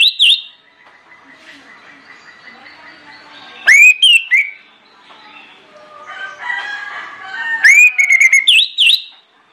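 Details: Persistent orange-headed thrush song played as a lure to trigger other birds. Loud swooping whistled phrases come in bursts, separated by quieter, scratchy, chattering warbles.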